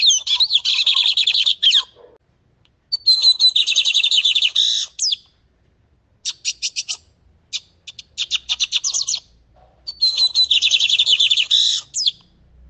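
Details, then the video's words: Full song of a lined seedeater, for teaching young birds: long rapid trilled phrases alternating with gaps and short runs of separate clipped notes, all high-pitched. "CANTO DO PÁSSARO BIGODINHO COMPLETO PARA ENCARTE!"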